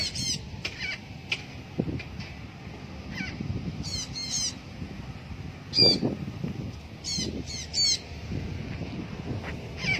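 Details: Free-flying blue-backed parrot giving short, harsh, raspy squawks in scattered bursts, with wing flaps and a low outdoor rumble underneath.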